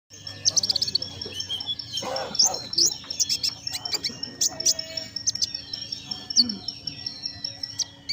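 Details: Konin singing actively, with a song filled with imitations of the golden grasshopper: rapid, sharp high chirps and short trills in irregular bursts, with faint lower background sounds.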